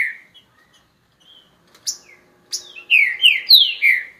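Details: Song of a green-winged saltator: soft scattered chips and a high sharp note lead into a loud burst of four sweeping, downslurred whistles, with a faint low hum behind.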